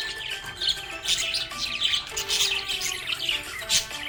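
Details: A happy pet budgerigar chirps and chatters in quick, bright bursts over soft background music.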